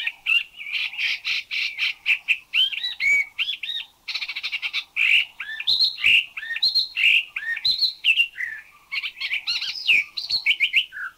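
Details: Spot-throated Babbler from Thailand, described as not the most melodious songster but with a varied vocabulary, delivers a jumble of mid-high chattering notes, slurred whistles and rapid buzzy rattles in changing phrases.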